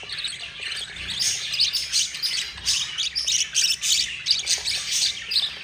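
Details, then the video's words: Budgie babies, four of them, being fed by their yellow mother: harsh rasping begging notes in quick pulsing bursts, roughly three each second, shrill and wheezy throughout. "yellow mother budgie feeding her four babies"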